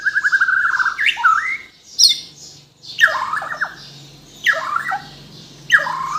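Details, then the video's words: Bornean white-rumped shama from Kalimantan in captivity: a fast trilled phrase, then harsh squawky bursts repeated roughly each second over faint low hum. "MURAI BATU BORNEO GACOR FULL ISIAN || AMAZING BIRD CHIRPING MURAI BATU"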